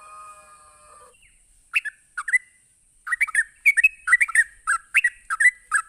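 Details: Sooty-headed bulbul rapid ropelan song used to provoke other bulbuls: after a brief steady tonal sound, quick clusters of chattering, slurred notes follow, growing denser and livelier toward the end.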